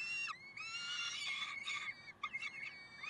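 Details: Harsh, screeching wail from peregrine falcons at Karlsruhe, 30 May 2010, sustained and slightly bending in pitch, then breaking into a few clipped, squealing notes.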